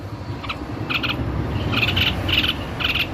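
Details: White-necked babbler in lively song: spaced pairs and triplets of high, clipped notes repeated roughly twice a second against a steady hissing and humming background.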